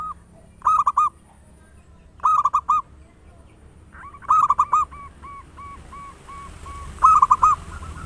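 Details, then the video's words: Local zebra dove with a big voice in full song: short bursts of rapid rolling coos about every second and a half, then a steady string of soft, evenly spaced single notes before another loud burst. "Perkutut lokal gacor suara besar - Pancingan pikat merangsang agar cepat bunyi"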